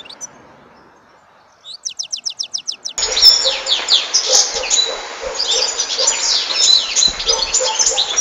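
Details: European goldfinch singing: a rapid rattling run of high notes, then continuous loud, jumbled twittering with buzzy and whistled elements.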